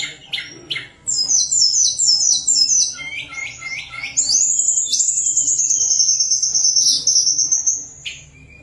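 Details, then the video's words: Sunda warbler singing in a lure recording: quick stuttered high notes, then a long sustained whistled trill that wavers steadily for about three seconds before stopping. "Tledekan Gunung Gacor Nyuling-nyuling Sangat Ampuh Untuk Pancingan Tledekan Yang Malas bunyi."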